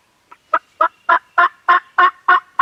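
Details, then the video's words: Farm turkeys gobbling, filmed on a Canon G7X: a fast, steady sequence of about nine loud, broad, rasping bursts, each a little longer than the last. "Turkeys Are Gobbling"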